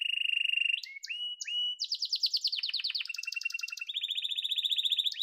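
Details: Yellow domestic canary singing a long varied song: steady high trills, upslurred whistles and rapid buzzy rolls changing tune every second or so, loud and clean with no other sounds.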